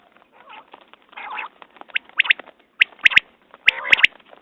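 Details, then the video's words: Common quail giving crisp triple-note calls in the second half. Before them come softer rasping, chattering bird sounds and a mild background murmur. "Batair Ki Awaz New Quail sounds 2019"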